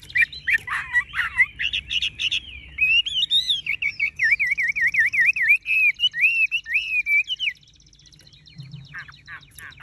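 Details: Tame caged Chinese hwamei with golden-yellow plumage singing nonstop: loud rapid whistled phrases and quick trills, then a long run of wavering, warbled notes rising and falling for several seconds before stopping, with a few softer notes near the end.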